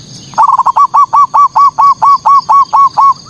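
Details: Manggung song of a perkutut, or Zebra dove, played as a lure to agitate local rival doves: a loud steady series of about fourteen hooked, mellow coo notes, several per second, over a thin high background hum.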